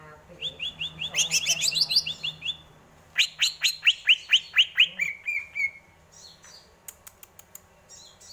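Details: Greater green leafbird song of fast repeated sharp chirp notes in rhythmic series, ending in a slurred trill, followed by scattered clicks and faint low background noise.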